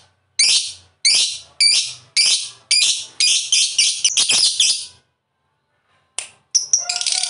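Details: Lovebird giving a series of short harsh shrieking notes, spaced about half a second apart and quickening, then a pause followed by a few sharp chirps and a scratchy burst.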